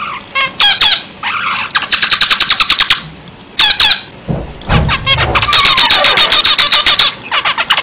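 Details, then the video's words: Zebra finch song: separate sharp calls, then rapid buzzy note runs; a brief low rumble intrudes before a long, dense stream of fast nasal chatter. "zebra finch gacor"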